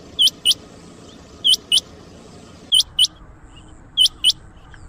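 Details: Rain quail, locally called chinga batair, calling as used to lure quail for trapping: sharp, high metallic notes in close pairs, each pair repeated about every 1.3 seconds, over a faint steady low hiss.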